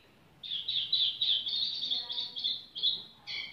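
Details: Tiểu mi bird singing leisurely, with a steady run of around ten rapid, similar chirping notes, followed by a brief pause and one last note.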